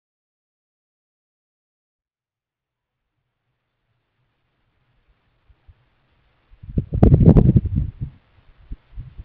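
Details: Near silence for about six seconds, then a short burst of low rumbling and thumping with a few scattered knocks, and no animal calls.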